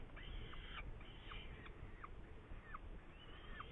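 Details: Saker falcon in Hungary, 8 May 2019: a series of harsh, harmonic calls, each a drawn-out note ending in a quick downward stroke, given about every half second over steady low rumbling background noise.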